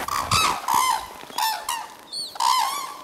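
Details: Red-crowned cranes arriving at the Akan International Crane Center on a January morning in 2024: loud, harmonic trumpeting calls, several overlapping honks in quick succession, with a few higher, thinner notes between them.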